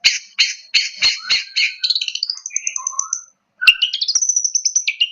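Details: Long-tailed shrike (cendet, pentet) giving a provocation song. Opens with a run of harsh, scratchy notes, then shifts into high twittering trills and short slurred whistles, breaks off briefly, and resumes with quick, high chattering phrases.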